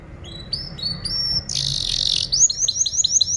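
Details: Canary singing a tutoring song for training other birds: a few bright rising whistled notes, a burst of harsh buzzy rattle, then a fast run of repeated high down-slurred chips, with faint low room noise.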